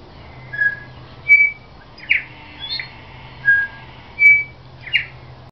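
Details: A New Zealand bellbird (Korimako), recorded 13 October 2009, sings clear, bell-like whistled notes, about seven in five seconds, mixed with a couple of harsher, twangy notes over a faint low hum.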